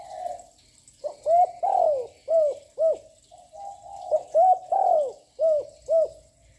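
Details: Young spotted dove giving nonstop coos to stir up other birds: two phrases of five coos each, a long drooping note in the middle, preceded by a soft distant coo.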